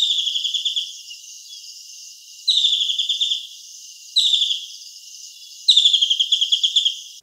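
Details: Grey-headed Kingfisher from Southern Africa giving four high, rapid chattering trills that tumble downward in pitch, one every second or two.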